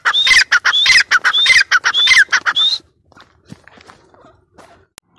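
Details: Female grey francolin gives several rapid shrill phrases, whistled notes dropping into harsh chattering, for under three seconds, then falls silent apart from faint distant sounds and a single click.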